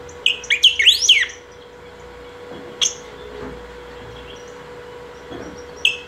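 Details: Saffron finch in nonstop song used for calling or training: a rapid cascade of slurred, sweeping whistles in the first second, then long quiet broken by a few isolated sharp chirps, with a low hum.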